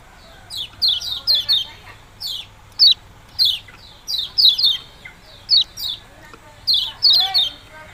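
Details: Yellow-bellied prinia giving "ciak-ciak jos" song: sharp high chirps, mostly doubled or tripled, repeated roughly every second with short silences between bursts.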